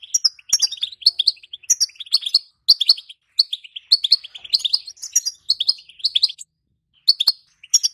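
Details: Female European goldfinch giving its batbata call, used to excite silent males into singing and prepare them for mating. Rapid, bright, high twittering chirps run almost without a break for over six seconds, then pause before a few final notes. Faint clicks are heard.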